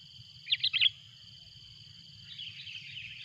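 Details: Calling sooty-headed bulbul, loud and agitated as a rival arrives: a short run of four bubbly, chirping notes early on, then only a faint continuous high whine and soft low background noise.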